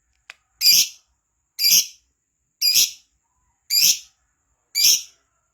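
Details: Lively gacor lovebird as a lure recording for prompting song: after a short click, five loud harsh high chirps follow about once a second.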